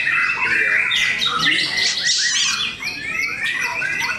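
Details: White-rumped shamas compete at a singing contest in Cikeas, with bright fluty whistles, buzzy rattles and quick repeated chips overlapping constantly, with a short pause near the three-second mark.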